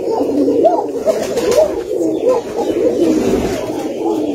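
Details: Koka pigeons kept at one of the largest Koka pigeon farms in Bangladesh; a dense chorus of low, rolling coos overlapping without pause, with occasional short rising notes, in an enclosed room.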